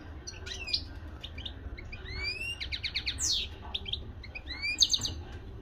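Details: European goldfinch, a local bird from Morocco, singing a varied twittering song of quick rising whistles, short buzzy trills and sharp chirps in bursts, with low background hum.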